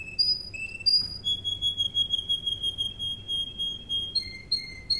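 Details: Serinus canaria, Russian canary, singing for training: short rising whistles lead into a long pure held tone, followed by rapid double-pitched notes.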